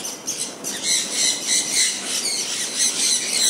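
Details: Pet sun conures out in the rain, calling with repeated harsh, screechy squawks about three per second over a constant hiss of rainfall.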